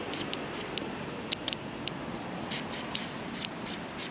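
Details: Sparrows arriving at a bridge to be fed on 14 January 2020: short, sharp, high chirps given singly or in quick pairs at irregular intervals over a faint steady background hiss.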